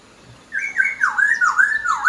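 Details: Laughingthrush singing actively: a loud, continuous wavering whistle that dips and rises in quick repeated swoops.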